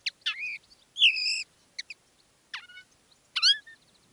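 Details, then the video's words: Common linnet decoy bird singing live in its own style: sparse phrases of wavering nasal whistles and sharp downslurred notes separated by short pauses. "Canto del Pardillo. Dos pájaros de reclamo"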